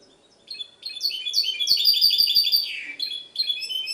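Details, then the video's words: Goldfinch hybrid singing in Ksar el Kebir, Morocco: after a quiet start, a rapid cascade of sharp, metallic twittering notes with a downward-sliding phrase near the end, a brief pause, then more chirping. "mixto jilguero"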